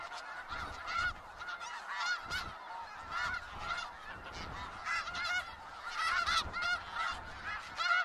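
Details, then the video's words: Loud, close chorus of snow geese in Skagit Valley, many birds honking at once in harsh nasal yelps, with nearby calls rising and falling in bursts throughout. "Sounds of Snow Geese | Skagit Valley"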